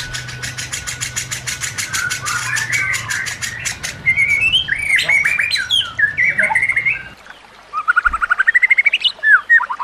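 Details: White-rumped shama song recorded to train other shamas: a long, even series of dry ticks, then loud looping, slurred whistles, and finally a fast rattle of repeated notes after a brief silence.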